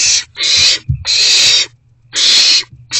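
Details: Owls at a nest box during rodent deliveries in the evening of 29 March 2024: three drawn-out, noisy hissing screeches separated by short silences, with a soft low thud between the first two.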